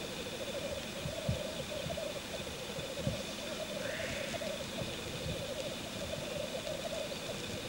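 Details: Male black grouse displaying at a courtship lek. A rolling, pulsing bubbling chorus sounds throughout, and one brief rising hissing sneeze is heard near the middle.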